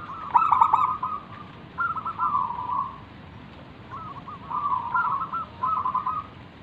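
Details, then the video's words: Zebra dove song from a wild local bird, used to coax other doves into calling. A sharp staccato burst opens, followed by separate strings of gentle rolling, bubbling coos with short pauses between them. "burung perkutut lokal Gacor manggung - pancingan pikat paling Ampuh mengundang bunyi"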